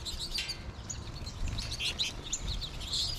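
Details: Lively chorus from an American goldfinch flock in March: many high, sweet twittering notes and short rising chirps pour out together without pause, with the birds also in the surrounding trees.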